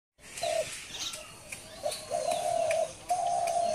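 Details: Dove calling: drawn-out, steady mid-pitched hooting notes, first short, then two longer flat notes of about half a second, with faint chirps and a hissing background.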